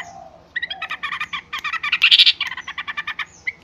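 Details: Yellow-vented bulbul calling noisily, a quick jumble of bubbly, warbled notes that begins after a short quiet spell, peaks in a loud cluster midway, then continues as evenly spaced chirps.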